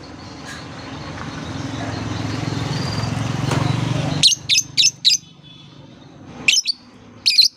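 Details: Lovebird therapy song used to lure lovebirds, especially young learners: rumbling background noise fades, then a few loud shrill squeaks sound in short groups.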